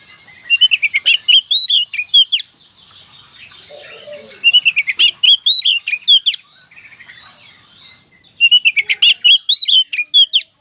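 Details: Oriental magpie-robin singing in the konslet style: clear whistled phrases of quick slurred notes with sharp clicks, delivered in three bursts of about two seconds, separated by short quieter gaps with soft warbling.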